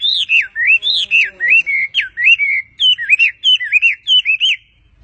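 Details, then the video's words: Sitting on an owner's hand, a bird sings rapid swooping whistles that dip and rise, several each second, in a lively and uneven sequence. "passaro cantando na mão do seu dono"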